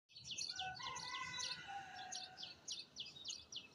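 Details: Birds chirping in Azad Kashmir: rapid, repeated high chirps, several per second, with overlapping voices suggesting more than one bird, plus a few lower drawn-out whistles and faint background noise.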